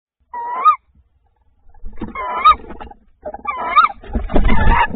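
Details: Tawny owl recorded on 28 February 2024 as the male delivers prey: three short, hoarse calls rising then dipping at the end, the last one overlapped by loud low rustling and thumping noise toward the close.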